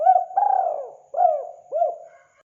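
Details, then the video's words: Spotted dove calling actively: a long descending drawn coo followed by two short arched coos, soft and low, ending in quiet. "Suara burung tekukur gacor"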